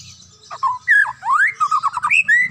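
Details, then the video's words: Morning song of a White-rumped shama, said to get other shamas singing: a burst of clear fluting whistles with rising slides, then a rapid chain of short repeated notes ending on a sustained whistle, faint low rumble beneath. "GARA-GARA DENGER SUARA MURAI INI DI PAGI HARI BANYAK MURAI LAIN JADI GACOR TERUS DI SETIAP WAKTU"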